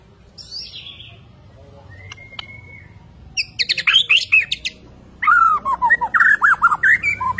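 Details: White-rumped shama from Borneo singing energetically: a descending high note and a brief whistle, then bursts of rapid clicking chatter followed by fast loud repeated warbled whistles.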